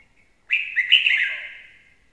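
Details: One clear song phrase from a red-whiskered bulbul kept as a lure: a strong first note, then quick tumbling whistles that rise and drop, fading over a second.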